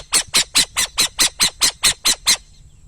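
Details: Burrowing owl giving a rapid series of eleven harsh, hissing squawks, each brief and rough-textured, about four per second at even intervals, then falling silent.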